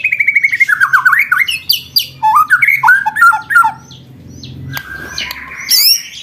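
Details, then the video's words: Caged white-rumped shama kept as a song contest bird, its song used as training material: rapid varied phrases of repeated notes, falling and rising slurs and harsh trills, loud at first and then quieter. "DURASI ROLL TEMBAK BIKIN GADUH DI GANTANGAN √√ masteran burung lomba full materi roll tembakan"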